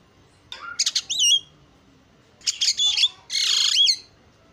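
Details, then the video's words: Javan myna giving two short bursts of isian song separated by silence: quick clicks and a bent whistle, then a grating squawk ending in a drawn-out rasp with a swooping whistle. "JALAK KEBO SUPER GACOR SUARA ISIAN"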